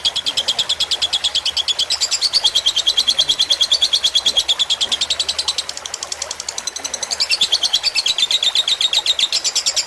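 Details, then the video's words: A long stretch of lovebird fighter song on a tutor recording with trickling water: continuous fast, shrill chattering that softens briefly midway before rising again in loudness and pitch. "Suara masteran lovebird fighter dengan gemericik air"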